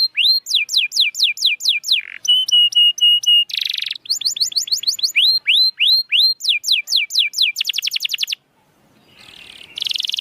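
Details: Canary song played to stir breeding urge and singing in canaries that are lazy to sing: fast varied tours of descending whistles, a steady trill, buzzy rolls and rapid chattering notes, with a short pause before a final buzzy burst.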